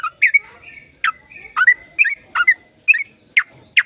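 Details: Sooty-headed bulbul in lively, long-running song, used to stir silent birds into singing: short bubbly, slurred notes between low and mid pitch, given in scattered bursts with brief pauses and some faint chatter between them.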